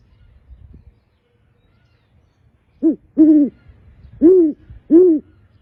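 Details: Male great horned owl hooting: four deep, low hoots, a short one then three longer ones spaced about a second apart, each gently arched in pitch, after near silence.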